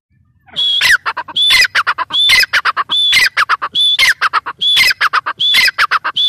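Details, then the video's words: A female grey francolin gives a sustained run of shrill squawking phrases, each starting with a high whistled note and breaking into harsh, stuttering chatter, repeated steadily about once a second over low background hum. "gray francolin teetar awaz | female teetar awaz"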